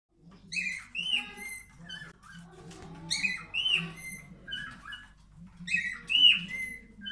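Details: During breeding behaviour, a male cockatiel inside a nest box whistles to the female in bright, rising and falling phrases repeated every few seconds.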